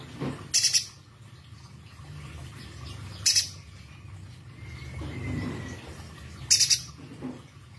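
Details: Pijantung gunung, a spiderhunter described as having a very sharp, loud voice: three shrill, high triple-note bursts spaced unevenly. A faint rising whistle and a steady low hum lie between them.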